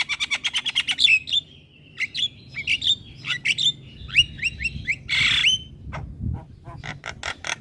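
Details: Jalak kebo, the Javan myna, in gacor song meant to get lazy mynas singing: a fast rattle of about ten clicks, then paired downslurred whistles, a harsh burst and further clicks.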